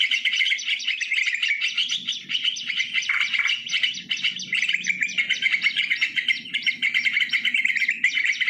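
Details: Bulbul lure recording made live in nature, sooty-headed bulbul: unbroken, crowded chatter of bright chirps and warbled whistles throughout, with a faint low rumble in the background.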